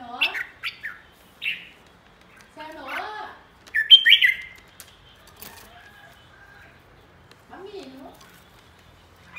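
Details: Red-whiskered bulbul, described as a flock leader, sings in short bursts of clear whistled notes. Rising and falling phrases alternate with brief pauses, with a few lower warbled notes between them.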